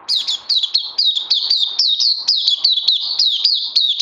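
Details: Kept oriental white-eye, 31 May 2020. Loud, rapid chain of high-pitched slurred chirps, roughly four per second, each note dropping sharply, continuing without pause throughout.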